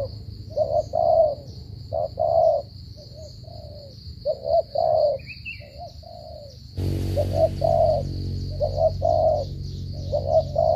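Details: Spotted dove with a stammering coo: a brief lead note followed by a fuller hooting coo, pairs repeated every second or two, with a steady high hum and a burst of hiss partway through.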